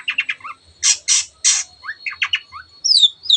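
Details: Long-tailed shrike song used to excite other birds into singing: quick chattering notes and broad harsh squawks, mixed with short slurred whistles, ending in a sharp descending whistle.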